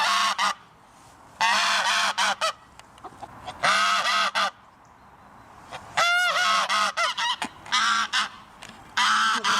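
Geese honking loudly in harsh, nasal bursts, several birds overlapping in irregular runs with brief pauses between.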